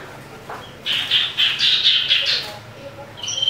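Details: Angry common iora during a fight, used to lure rival birds: a rapid burst of harsh, squawking chatter notes lasting about a second and a half, then a thin whistle beginning at the end.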